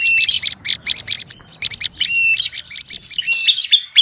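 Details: Noisy olive-backed tailorbird call used for luring: clustered high chattering chips with short level whistles, rapid and dense, easing slightly near the end.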